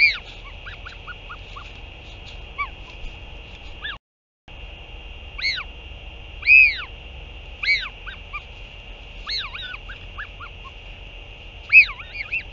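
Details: Northern royal albatross recorded 8 June 2023 during a parent's return to feed the chick: scattered high, arching whistled notes, some in quick pairs and clusters, separated by pauses, with constant low hum and a brief dropout.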